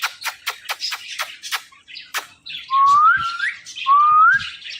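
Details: Indian ringneck parakeet first gives a quick series of sharp clicks and chips, then two long, clear whistles that rise smoothly in pitch.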